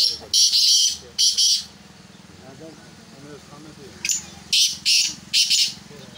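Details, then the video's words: Black francolin, said to be in preparation for chakri, gives two strong grating bursts, then after a gap with a man talking and a low hum, a further series of three harsh bursts. "کالے تیتر کو چکری کے لیے تیار کیا جارہاہے"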